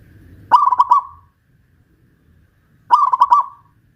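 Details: A local Pajajaran zebra dove from West Java, caged and hoisted up a pole, sings vigorously. Two matching phrases of rapid staccato coos, each about a second long, are separated by a two-second pause.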